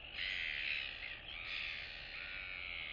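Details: Two royal albatross chicks greeting each other in their colony, 9 September 2022; a continuous harsh, nasal braying in two long phrases with a brief dip between, over a low steady hum.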